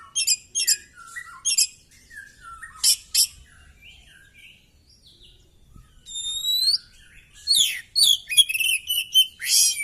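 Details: Oriental magpie-robin with its tail spread while fighting, running through varied song material: sharp buzzy bursts and low falling whistles, then a long rising whistled note, and finally dense, rapid high chattering phrases.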